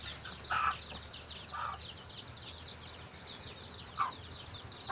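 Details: Chickens finding food for their chicks: a few short, soft clucks come at about 0.5, 1.6, 4 and 5 seconds, over continuous high, rapid chirping from many small callers in the background.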